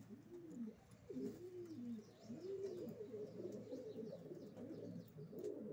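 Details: Racing pigeons making low, rounded, arched coos in quick overlapping succession, a soft continuous murmur of cooing with faint clicks.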